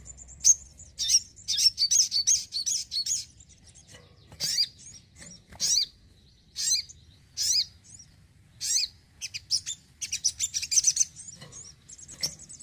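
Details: A house-kept Brown-throated sunbird sings in short, very high, sharp chirping bursts, some run together into rapid twittering trills, repeated every second or so; otherwise quiet.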